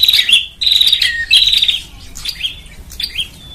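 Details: Bar-winged prinia lure call for gathering birds: three rapid buzzy rattles with falling ends, followed by softer scattered chirps and a thin fading whistle.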